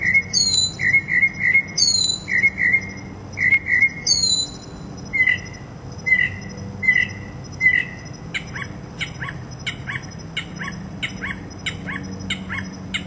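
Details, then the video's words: Mockingbird serenading with mimicry: loud sweeping squeals paired with sharp chirps, repeated in sets roughly every second, then switching to a series of rapid dry clicking notes. "Mockingbird Song Serenade"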